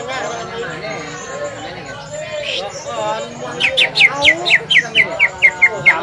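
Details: Crowd talk at a Semparuk practice contest gives way to a green leafbird's provoking song: a fast, evenly spaced series of sharp, bright rising whistles about three per second.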